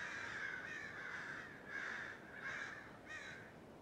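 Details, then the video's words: Flock of crows in an oak tree near a house, December 2017, still squawking after a noisy racket: rough, grating calls repeated roughly every second, several birds overlapping, with constant background hiss. "Crows in an oak tree, squawking"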